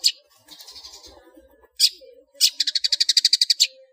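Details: Long-tailed shrike in ngeplong song with varied fill notes, used as a cage-bird training master: soft chatter, then a single sharp note and a fast, even burst of high repeated notes.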